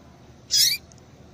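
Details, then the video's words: Female yellow-bellied seedeater calling to stir males into singing: one short, high, bright peep with a quick downward slur, in an otherwise quiet recording. "Piado de Fêmea de Papa capim para Esquentar Papa capim"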